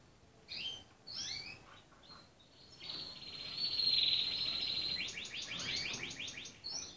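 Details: Red canary song opening with scattered sharp downslurred notes, then a long bright rolling trill that shifts into a rapid, evenly pulsed series of notes.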